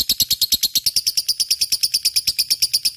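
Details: Lovebird in full gacor song, played as a lure for other birds: quick, shrill, rhythmic chirping notes repeated about three times a second in a steady buzzy chatter with no pauses.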